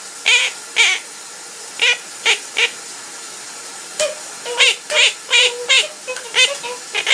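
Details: Singing pet parrot at home during its owner's shower, giving quick harmonic chirps and warbled notes in irregular bursts, several notes bunched together late on, with constant water hiss beneath.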